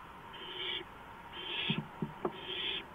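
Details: Owl perched on a porch at 2:05 AM, April 5, 2015; three drawn-out, scratchy hisses about one second apart, with a few soft taps and thumps between them.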